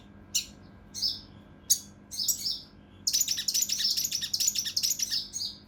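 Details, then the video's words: Mountain leaf warbler (cucak rante mas) singing in the kinoi emosi style with rough, tight 'tembakan' bursts for training competition birds: a few isolated shrill chirps, then a continuous rapid, scratchy high rattle. "KINOI EMOSI | TEMBAKAN KASAR RAPAT UNIK | SUARA CUCAK RANTE MAS UNTUK MASTERAN BURUNG LOMBA"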